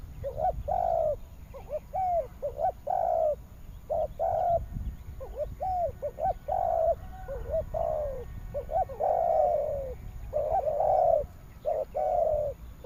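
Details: Spotted doves in western Vietnam cooing almost continuously, with short and drawn-out mellow coos overlapping in uneven bursts that suggest more than one bird calling.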